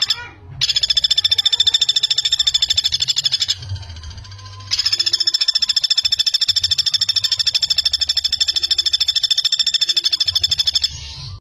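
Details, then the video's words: Common flameback giving long, fast, high-pitched rattling trills, one about three seconds and a longer one about six, separated by a brief pause; used as a tutor recording for young songbirds. "Pelatuk Bawang Gacor, Masteran Pelatuk Speed Rapat"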